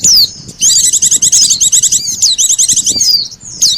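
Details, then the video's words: White-eye lure call blended with sogon calls for trapping attraction: a sharp falling whistle, then a long rapid string of high chirping notes and scattered slurred whistles. "SUARA PIKAT BURUNG PLECI DAN SOGON"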